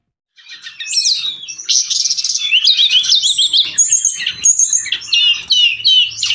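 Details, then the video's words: Brown-chested jungle flycatcher singing prolifically, used as a tutor and trigger recording for cage birds: after a brief silence, a dense run of high, rapid chirps, trills and sweeping whistled notes with hardly any pause. "Suara burung sikatan rimba"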